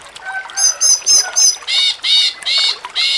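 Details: Cucak cungkok singing in the jengking munting style, recorded as training material for songbird contests: a run of short buzzy, harmonic-rich notes, each repeated about every third of a second.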